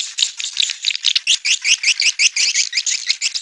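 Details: Rapid high swiftlet chirps in quick, buzzy bursts, close to three each second, forming a rattling twitter.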